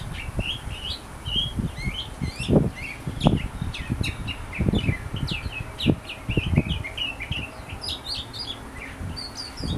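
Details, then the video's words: A sooty-headed bulbul in full song sings busy, bubbly chirps in quick, uneven bursts, with low thumps and knocks sounding throughout. "KUTILANG BULE GACOR"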